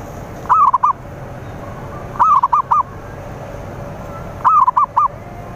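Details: Zebra dove song meant to draw in rivals: three short phrases, each of four quick arched cooing notes with the first longest, repeated about every two seconds over low steady hiss.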